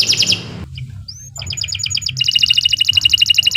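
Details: Canary singing for use as a training tutor: a fast bright trill, a short gap, a rising whistle, then a long rapid rolling trill of evenly repeated notes over low room hum.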